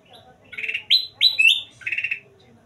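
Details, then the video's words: A bulbul (kutilang emas) sings actively, suited as a tutor song: a brief, lively phrase of bubbly, liquid whistles, with a few sharply rising and falling notes in quick succession. "suara kutilang emas gacor"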